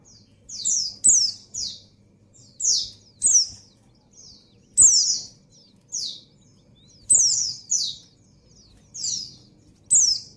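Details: Female white-eye in breeding condition calling to a male, a steady run of high, squeaky, down-slurred chirps in twos and threes, about one cluster a second, with occasional sharp clicks.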